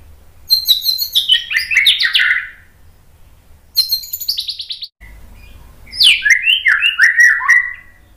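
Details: Training recording of white-rumped shama 'tembakan' song: two bursts of high notes cascading downward, a brief silence, then a rich, rolling phrase of mid-pitched warbled whistles.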